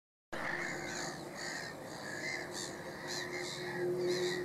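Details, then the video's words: Noisy black-headed gulls at Middleton / Fishers Mill, a Mediterranean gull among them: overlapping harsh, grating calls, many birds at once, with steady background hum. "Noisy Black-headed Gulls"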